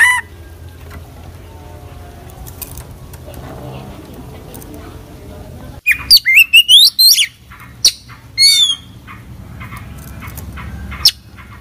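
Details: Oriental magpie-robin (kacer) in full 'isian' song: after several seconds of quiet low background hum, a sudden burst of loud, varied chirps, trills and downward-slurred whistles, then scattered short high notes and a final sharp chip.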